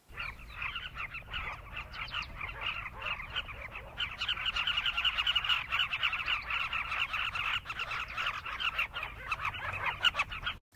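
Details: Southern carmine bee-eaters in southern Africa in a noisy crowd, giving a dense, continuous chatter of short, throaty rolling calls that overlap without pause.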